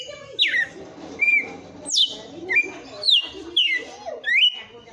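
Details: Red-cowled cardinal singing the 'açoite' song strongly, rapid clear whistled notes sweeping down, almost two per second, with muffled talking underneath.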